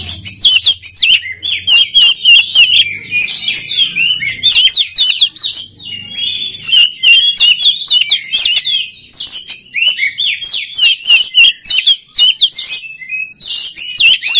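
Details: Oriental magpie-robin giving a long, loud, dense song to train other birds, packed with fast chips, slurred whistles and scratchy mimic-like phrases, barely pausing, over a faint low hum.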